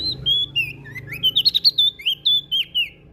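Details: Prinia from Lombok singing vigorously: a run of high whistled notes, some gliding down, then a quick series of short sharp chirps, about a dozen in total, with faint low hum beneath.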